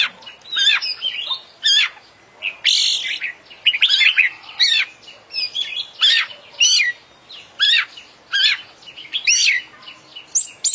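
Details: Champion oriental magpie-robin (kacer) delivering a full isian song: loud, varied, sweeping whistled and scratchy phrases in rapid bursts, about one per second, with hardly a break.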